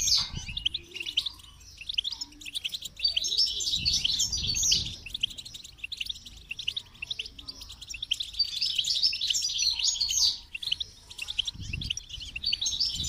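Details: Continuous high, jangling twitter of goldfinch song, quick chirps tumbling in irregular bursts, with a few faint low thuds in the background.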